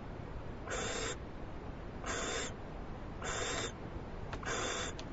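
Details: A captive owl on a live cam, being brought a big food treat by its mate, gives four breathy, hissing screeches, each about half a second long and a second apart, over a low steady rumble.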